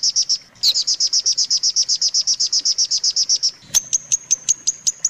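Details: Long-tailed shrike song recorded for tutoring other shrikes: a rapid series of harsh, high chattering notes, then a switch to sharper, thinner repeated whistled notes spaced about a quarter-second apart.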